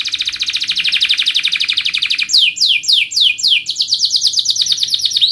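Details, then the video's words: Canary training song, a loud tight roll that tutors young canaries: a steady buzzy trill for two seconds, then repeated downward-swept chirps in a quick, even rhythm. "KENARI GACOR PANJANG Rol Rapat EMOSI Cuit cuit Ngerol AMPUH utk Pancingan kenari paud belajar bunyi"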